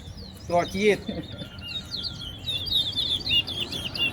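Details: Chestnut-bellied seed finch in a singing competition at Soesdyke, Guyana, pouring out a fast, sweet, warbled song of high twittering notes while a man counts aloud at the start.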